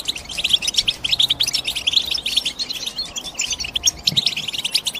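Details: European goldfinch twittering in quick bright chirps and tinkling trills, a lively, closely packed stream of high notes with a faint low tap toward the end.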